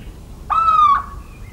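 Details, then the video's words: Little owl, central French countryside, 17 March 2019. One plaintive, level hoot of about half a second with bright overtones, followed by a faint thin whistle from another bird. "CHEVÊCHE d'Athéna/Chouette chevêche/Chant et Cris !"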